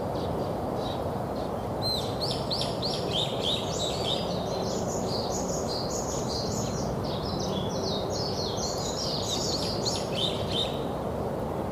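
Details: Several wild birds chirping in a park at Lokeren, Belgium: busy high twittering and short sweeping notes overlapping continuously, over a steady low hum of background noise.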